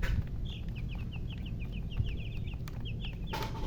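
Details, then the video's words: High chicken chirps come in a rapid, evenly spaced run of sharp falling peeps, then a short pause and two more. A low rumble fills the background, and a sharp noise ends it. "silly chicken chirping sounds with murgi hen color chicken"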